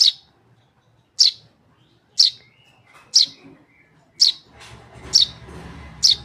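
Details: Young tame Eurasian tree sparrow giving loud, high, clipped chirps roughly once per second, with a low rumbling background noise building in the last two seconds.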